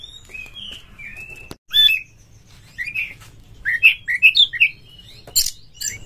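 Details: Oriental magpie-robin used as a singing lure: drawn-out whistles, a sharp chip, then a series of rich, slurred two-part whistles repeated about every half second, ending in a harsh burst.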